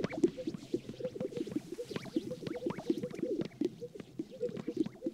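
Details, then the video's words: Spring sage grouse lek on the prairie around sunrise: many displaying males overlap almost continuously in low, bubbly popping plops, with the soft swish of white feathers rubbing between them. "Sage Grouse Lek Dancing"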